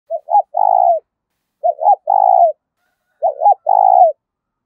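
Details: Spotted dove used as a decoy, cooing to lure wild doves: three identical low phrases about every 1.6 seconds, each two short hoots followed by a longer drawn-out coo, in quiet surroundings.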